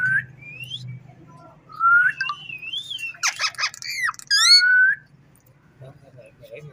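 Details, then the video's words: Ringneck parrot at home: a soft rising whistle, a wavering whistled phrase, then loud harsh squawks and a bright downslurred whistle before quieter murmurs, low hum underneath. "Amazing parrot talking funny clips"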